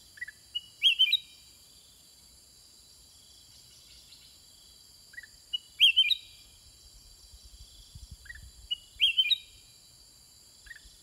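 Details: Sooty-headed bulbul trading songs with wild birds, giving three short liquid, warbled phrases about every three seconds, each led by a soft note, with continuous shrill insect hiss behind.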